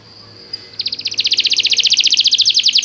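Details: After a faint opening note, a canary breaks into a fast, steady, high buzzing trill that grows louder and continues to the end, used to encourage a canary to sing.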